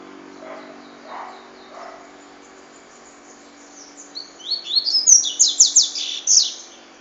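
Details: Faint low murmuring opens the clip before a double-collared seedeater gives one bright cachoeira song phrase, a rapid cascade of high, buzzy, downsweeping notes lasting about two and a half seconds.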